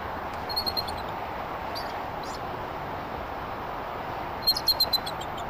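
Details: Bald eagle pair at their nest during a changeover in Redding, 11 March 2023, giving thin, high chittering notes: a short burst of three or four, then a quicker run of five near the end, over steady wind hiss.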